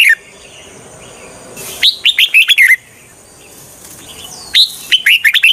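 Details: Red-whiskered bulbul decoy song for trapping wild birds, two bursts of five or six quick, bright, up-and-down whistled notes, separated by a quiet pause with faint softer calls.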